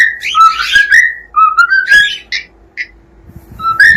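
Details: Cockatiel song of loud rising whistles and warbled notes, broken by short gaps, with a couple of brief chirps before a final upward whistle.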